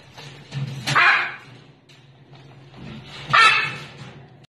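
Blue-and-yellow macaw chicks give two harsh, raspy squawks about two seconds apart, over a low steady hum.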